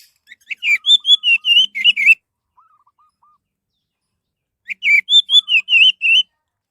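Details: Orange-headed thrush song used as a lure for other birds: two bursts of fast, varied whistled notes, each about a second and a half long, separated by a pause with a few soft lower piping notes.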